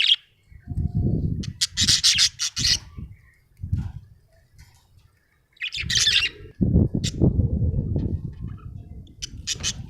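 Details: Cheerful budgerigar producing bursts of buzzy, scratchy chatter and chirps, alternating with loud low thumping and rustling noises.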